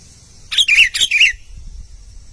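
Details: Albino sooty-headed bulbul singing actively: four harsh, chirpy notes in a quick burst lasting under a second, followed by quiet.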